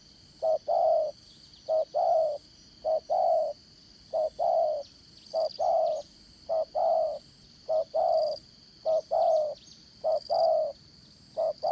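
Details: Spotted dove serving as a trapping decoy in the 'dán cổ' style, 'Đồng Son' voice, calling steadily: about ten paired coos in twelve seconds, short note then long, very regular, against a background of buzzing insects.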